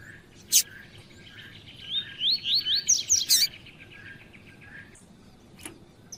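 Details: Double-collared seedeater in tui-tui song, used to excite males. Sharp chips frame a rapid string of upward-slurred whistled notes rising over about a second and a half, ending in a loud buzzy note.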